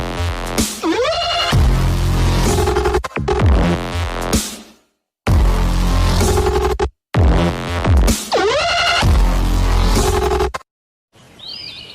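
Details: Loud electronic dubstep music with heavy bass and warbling synth sweeps, broken by short silences, with no animal sound.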